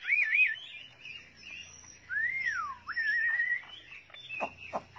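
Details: Chinese hwamei giving slow, sweet whistles: a wavering looped note, a long slide down and back up, a rising whistle, and a few sharp clicks at the end.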